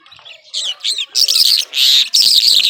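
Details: Skylark, Irani Mashadi variety known as jhal: after a quiet start, a loud run of harsh buzzy chirps and dense rasping trills comes in bursts under a second long.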